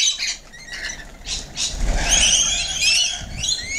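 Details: Rainbow lorikeets feeding, with sharp screeches and a burst of rising and falling shrill squawks, separated by a rustling, lower-pitched noise in the middle.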